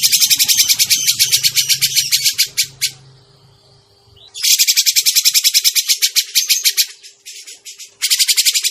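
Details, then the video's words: Grey-cheeked bulbul lure call for bird trapping, a fast stream of harsh buzzy chatter that stops for about a second and a half, then restarts with another burst near the end, a low hum underneath. "suara pikat burung cucak jenggot masteran burung cucak jenggot"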